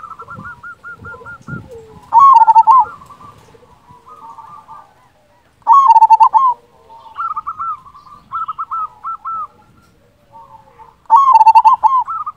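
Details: Local zebra dove with a big voice, played to stir silent doves into answering, repeats loud throbbing coo phrases every few seconds, linked by softer rapid stuttered notes.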